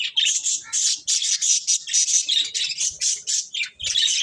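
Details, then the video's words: Several caged budgerigars chirp while eating corn: dense, scratchy chattering and squawky chirps packed in continuous bursts with brief gaps, bright and high-pitched, no other clear sounds. "Cute Budgies Enjoying Eating Corn | Love Birds Chirping Sounds"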